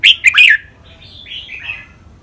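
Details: Caged red-whiskered bulbul from Thailand singing training song against a rival bird, in the rik, double, lak wai, mae bot and note-counting styles. A loud three-note chattering phrase is followed by soft, wavering whistled notes.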